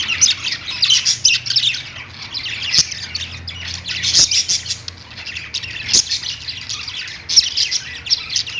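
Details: Pet budgies singing from a perch, lovebirds kept with them: lively scratchy warbling in irregular bursts of chirps and squeaks, with occasional sharp ticks.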